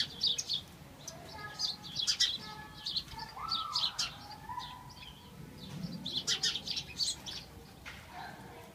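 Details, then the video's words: House sparrows chirp in short, bright bursts at the start and end; a lower, smoother sliding tone rises and falls in the middle. "Chirping HOUSE Sparrows."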